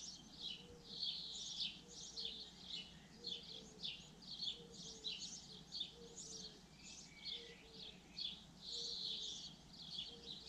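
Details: Continuous high twittering song of a common linnet, dense chattering chirps and short trills running on for ten seconds, while soft low paired notes repeat steadily underneath about once a second.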